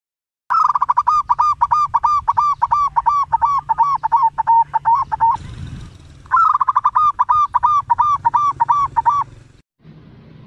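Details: Local zebra dove with a loud voice, used as a lure to draw other doves into calling. Rapid runs of hooked, mid-pitched notes, about three per second, in two long bursts separated by a short noisy break.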